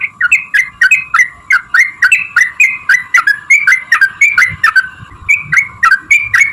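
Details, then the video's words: Sooty-headed bulbul delivering a long rapid 'ropel' song meant to provoke other bulbuls into singing: fluty whistled notes, each dipping slightly, repeated about three times a second, with a faint steady hum. "trucukan gacor TARUNG ROPEL PANJANG pancingan trucukan agar bunyi"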